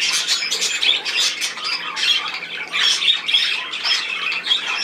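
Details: A group of budgerigars giving harsh, scratchy squawks and chirps in waves of rising and falling loudness.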